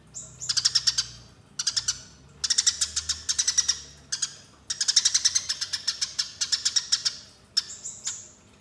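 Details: Eurasian tree sparrow in a fighting call used for luring, long runs of fast, rasping chirps in bursts of one to two seconds separated by brief gaps, with a clean high sliding note at the start and end.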